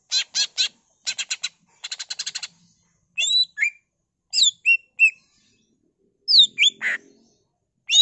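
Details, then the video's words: Ngentrok-style song of a Greater green leafbird filled with mimicked isian phrases, meant to coax other leafbirds into singing: several rapid clicking rattles, then bright swooping whistles, a buzzy squawk and a final whistle. "CUCAK IJO GACOR BONGKAR ISIAN NGENTROK PANCINGAN CUCAK IJO GACOR FULL ISIAN"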